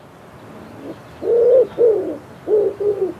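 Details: A common wood pigeon in spring in Poland coos a soft, low, husky run of four hooting notes, the first two longer and the last pair quicker, over faint background hiss.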